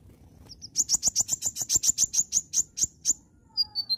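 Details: Oriental magpie-robin singing in full, vigorous voice: two short high notes, then about fifteen sharp, high chipping notes fired in a fast, steady burst, followed by a short descending run of thin whistles.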